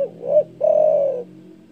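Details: Spotted dove delivering one loud call meant to provoke rivals: a short double hoot followed by a long, steady, deep coo lasting over half a second.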